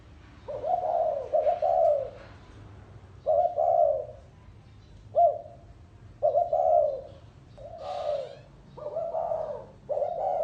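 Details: Gáy gù style cooing from a spotted dove, with a series of about seven low coo phrases of varying length at irregular intervals and a brief higher chirp midway.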